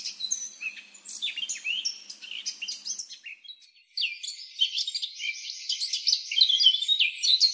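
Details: Free Eurasian blackcap singing a dense, scratchy warble of quick varied notes, pausing briefly, then continuing in a fuller, rolling chatter.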